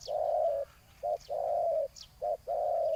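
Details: Decoy-lured spotted dove giving long, steady, low hollow coos broken by short clipped notes, alternating long and short over three seconds, with faint thin chirps of small birds behind.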